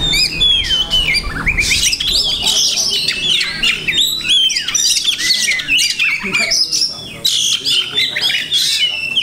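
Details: Oriental magpie-robin, a cage bird singing with many imitated phrases: a dense, continuous stream of loud varied whistles, slurs and chattering notes at high pitch, with brief pauses, over faint low background rumble.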